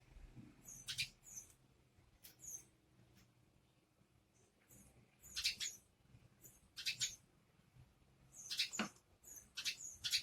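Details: Sparrows searching for food give short, high, bright chirps in scattered bursts of two or three notes, with quiet gaps between them and a soft low background rumble.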